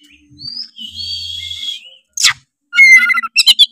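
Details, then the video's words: Oriental magpie-robin (kacer) song meant to provoke other magpie-robins into singing: a long sustained whistle, a harsh rasping burst, then a rapid chattering, mimicking phrase with sharp clicks. "pancingan kacer tretes gacor ngeplong bikin kacer lawan auto gacor ngeplong denger suara kacer ini"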